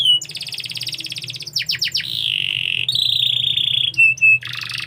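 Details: Canary singing a varied song: a fast buzzy trill, quick falling sweeps, sustained steady whistled tones and rattling rolls, bright and high-pitched, with a low steady hum beneath.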